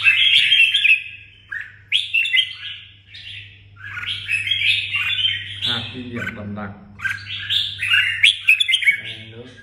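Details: Red-whiskered bulbul kept as a songbird in Đồng Nai, giving bright warbling phrases of slurred whistles in quick runs, while a person speaks briefly midway and a steady low hum continues.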